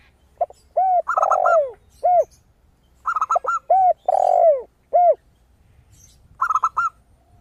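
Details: Actively singing zebra dove, bright and crystal-voiced, giving brief clusters of quick, high coos. These are woven among repeated lower arched coos and two long, sliding, descending coos from another dove, roughly every few seconds.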